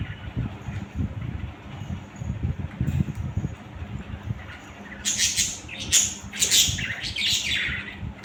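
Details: Several budgerigars stay quiet under a low hum for about five seconds, then erupt into rapid, harsh, crackling squawks and chirps repeated for roughly two and a half seconds.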